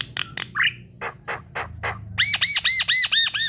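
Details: Javan myna song for luring birds into singing: sharp clicks and rasps, then a fast run of arched, ringing nasal notes, about three per second.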